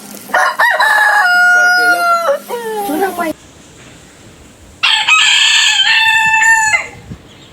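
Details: Two different roosters crow in turn: the first gives a long, wavering crow with a sliding, falling finish; after a short quiet gap, the second gives a bright, steady crow of nearly two seconds.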